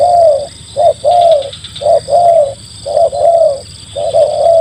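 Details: Spotted dove used as a lure for wild doves. Gives soft, mellow cooing phrases: short and long hooting notes alternate in a repeating rhythm. Faint high chirps and a steady high electronic-sounding tone run in the background.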